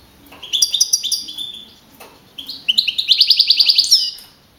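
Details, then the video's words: Champion young male field goldfinch from a 2012 Navalcarnero singing contest, Madrid region, 42 points; liquid chattering phrases build into a fast, even series of bright repeated notes ending in a rising slur. "JILGUERO CAMPERO CAMPEON 2012"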